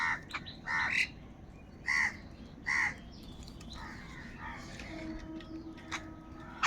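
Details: Crows in a large flock fighting over food: three loud, harsh, drawn-out caws about a second apart, followed by fainter overlapping calls from other crows in the group, with a low background rumble.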